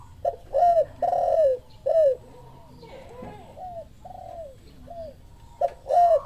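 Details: Spotted dove reacting to a lure call with a series of hoarse, falling coos, loud at first and end, softer in the middle, roughly one per second, over low background hum.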